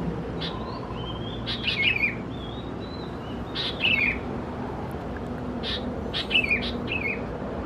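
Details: Sooty-headed bulbul chicks, Pycnonotus aurigaster thais, Khao Yoi, Phetchaburi, Thailand, recorded in June: bright downslurred chirps in small groups every two seconds or so, with thin whistled notes between, low background hiss.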